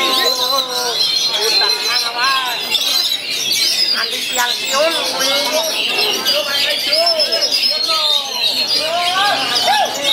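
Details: Oriental magpie-robin, a contest bird, singing at a bird competition in Wiradesa, Pekalongan, Central Java, on 14 July 2024; dense, varied whistled phrases and sweeping notes, mixed with other birds and crowd noise.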